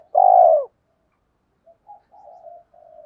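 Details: Spotted dove giving one long, full, gently falling coo, followed by several faint, short, muffled notes, used to call females and provoke rival males.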